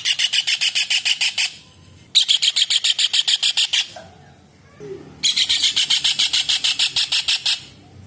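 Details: Vocal 'gacor' kingfisher, known locally as raja udang or cekakak, used as a masteran tutor for songbirds: three runs of fast, strident, rasping notes, each run lasting one to two seconds, separated by short pauses with a thin steady high whine.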